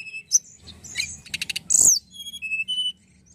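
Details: Immature Tledekan singing, meant to spark song in other birds: a rapid burst of clicking notes, a loud, high, downslurred chirp, then a string of clear, steady whistled tones.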